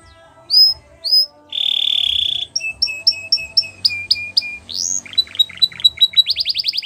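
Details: Canary song meant for training young canaries: two sharp rising whistles, a long steady rolled tone, then strings of quick chips and descending sweeps closing in a rapid rising trill.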